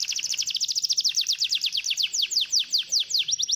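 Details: Canary song used to get a lazy canary singing: a steady, very fast series of high downslurred chips, repeated several times a second and slowing slightly toward the end.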